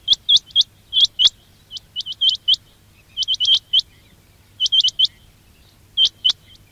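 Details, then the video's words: Lure recording of quail: bright, high upswept whistles in irregular runs of two to four notes, loud and clear over a quiet background. "quail batair ki awaz"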